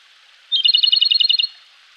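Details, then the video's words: Wild Japanese robin singing vigorously in a Koshin mountain forest in May, early morning: one sharp high opening note, then a fast, even rattling trill of about a dozen ringing pulses, lasting roughly one second, over quiet background. "コマドリ 鳴き声"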